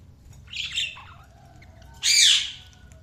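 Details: Budgerigar giving two rasping squawks, a shorter one first and then a louder, broader squawk after a brief pause, over a quiet background hum.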